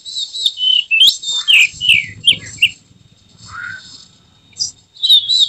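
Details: White-rumped shama in emotional display, tail spread, delivering loud varied whistles and downward slurs in quick bursts, a short pause with a lower note, then more sharp high phrases; faint low rumble beneath.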